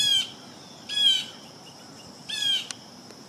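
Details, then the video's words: Blue jay at peanut suet, calling three times in about three seconds: brief, harsh, nasal squawks with stacked overtones, each slightly falling in pitch, over a quiet background. "Blue Jay Calls"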